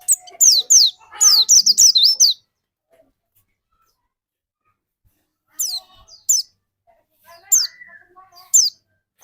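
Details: White-eye used as a lure bird to spark singing in another bird: two quick bursts of high, sharp, downward-sweeping chirps over the first two seconds, then a long hush broken by scattered short chirp clusters.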